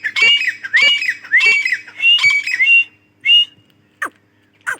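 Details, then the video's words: Female grey francolin (Dakhni teetar) voice: a run of loud, harsh squawks with rising whistled overtones, repeated roughly every half second, followed by a short rising note and faint clicks. "Dakhni Teetar Awaz | Female Teetar voice"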